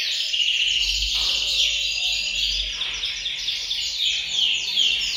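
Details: Canaries in a bird room singing as a group to urge males into song and prepare females for breeding: a continuous high shimmering wall of overlapping trills with a faint low hum beneath.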